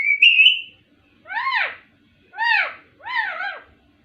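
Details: Talking ringneck parrot: one high wavering whistle followed by three hoarse arched syllables, nasal and speech-like, spaced about a second apart, with a quiet background.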